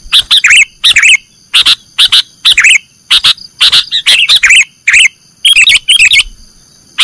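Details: Training recording of a sooty-headed bulbul (kutilang) in the nggaruda song style: dense, loud chirped notes repeated in quick clusters about every half second, mixed with warbling trills, over a continuous thin high tone.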